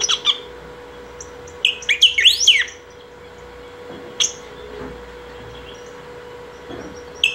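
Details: Saffron finch (picahueso) singing nonstop to call or train other birds: scattered high chirps, then a fast burst of sweeping, looping notes rising and falling, with isolated chips afterward over a steady low hum.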